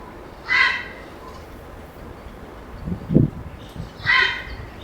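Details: A grey heron, one of four to five roosting in a conifer in an urban area on 25 May 2021, gives two harsh, croaking squawks about three and a half seconds apart. A low thud falls between them over steady background noise.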